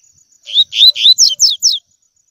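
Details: Double-collared seedeater giving its tui tui song for coaching young birds. Three full, upward-curving whistled notes lead into three brisk descending slurs, all in one tidy phrase.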